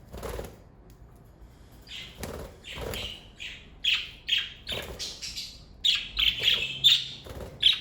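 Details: A family of pet budgerigars chirping: after a few soft thuds, scratchy warbled notes build into quick bursts of buzzy, squeaky chirps, growing denser and louder toward the end with bright, clipped peaks.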